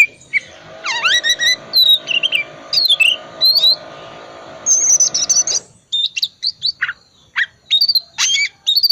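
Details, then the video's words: Oriental magpie-robin in full, busy song packed with mimicked fills, used as a lure to get reluctant magpie-robins singing: rising and falling whistles, sharp chirps and short trills with brief pauses, over a steady low hum in the first half. "Kacer tipe dingin gacor full isian pancingan kacer susah on di jamin bunyi gacor lagi"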